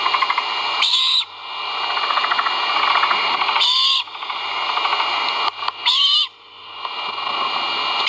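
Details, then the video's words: Great horned owl chicks calling at their nest during a feeding, filmed by a live nest camera on 1.04.2022: three short, raspy, hissing screeches about every two to three seconds over a steady background hiss. "FOOD. CHICKS VOCAL ) LIVE CAMERA GREAT HORNED OWLS NEST"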